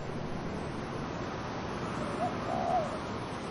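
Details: A dove gives one soft two-part coo, a brief note followed by a drawn-out wavering one, partway through a recording dominated by constant wind hiss in the trees.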